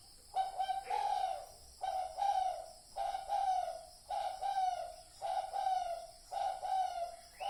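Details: Spotted dove lure call for decoy use: a run of seven low, hollow cooing notes, each slightly falling, evenly repeated under a second apart against a quiet background.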